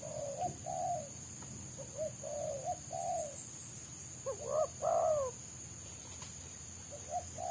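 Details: Wild spotted dove (tekukur) prized by trappers for its dense, fast song in the dominant selang nguku style, while a decoy tries to lure it down; low hooting coos in short repeated phrases over a steady high insect whine.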